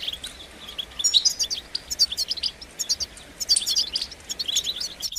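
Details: Fast, high-pitched twittering song of a European goldfinch with bright tinkling clusters and short buzzes, against constant soft hiss.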